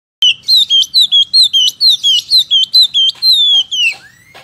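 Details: Caged Oriental magpie-robin kept as a pet and fed crickets daily, singing loudly: a fast run of clear whistled notes that slide downward, roughly two a second, ending in a longer falling whistle, with a faint low hum behind.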